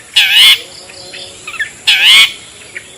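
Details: Long-tailed shrike lure call ('toet toet', cendet/pentet) meant to attract other shrikes: two loud scratchy squawks with a wavering tonal edge about a second and a half apart, faint soft notes between them.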